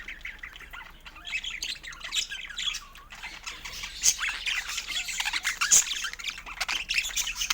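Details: Budgerigar warbling: busy, rapid chatter of squeaky, buzzy notes and short rising whistles, growing louder toward the end, with a few sharp clicks mixed in.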